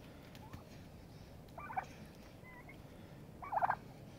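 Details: Turkeys fighting to settle a pecking order give two short trilled bursts, one faint and one louder near the end, with a brief thin note between them. A steady low background hum runs throughout.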